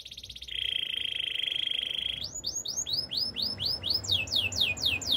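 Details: Canary singing a long, even rolling trill held for two seconds, followed by a run of clear downward-sweeping whistled notes, roughly three per second, over a quiet low background hum.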